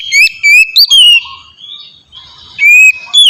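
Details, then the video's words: Oriental magpie-robin, a lure to set other magpie-robins singing: a few clear whistled notes with rising and falling slurs, a soft warbling pause, then more pure whistles. "suara burung kacer ngeplong merdu sangat ampuh buat pancingan kacer bahan bikin cepat gacor"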